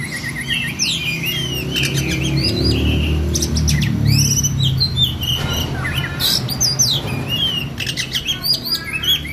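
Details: Oriental magpie-robin in continuous rolling 'ngerol' song, used to train other songbirds: varied sharp whistles, quick upslurs and clicking notes in an unbroken stream, over a loud low rumbling background noise.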